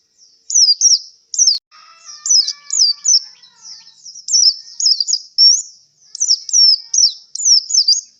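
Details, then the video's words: White-eye kept for singing contests, worn out after competing, delivers a near-continuous stream of high, sharp down-slurred whistled notes in rapid clusters, with a faint lower tonal hum briefly in the background. "suara pleci kelelahan setelah pentas lomba"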